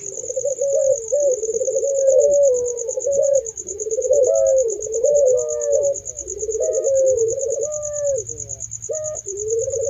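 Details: Several Barbary doves coo together in overlapping, continuous low rolling coos, each with a brief upward lift, over a steady high pulsing insect trill and faint low rumble.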